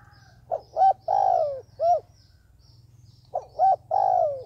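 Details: Lure dove used by trappers repeats its cooing phrase twice, each made of quick lead notes, a long descending coo and, in the first, a rounded final note; low steady hum behind.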